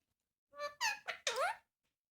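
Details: ['Pet Indian ringneck parakeet talking indoors: four quick squeaky, harmonic speech-like syllables in a short burst, the last one sliding upward, in a quiet room.']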